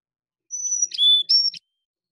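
Carolina Chickadee giving clear, pure whistled notes, high, then lower, then high again, over about a second, with faint buzzy ticks between them.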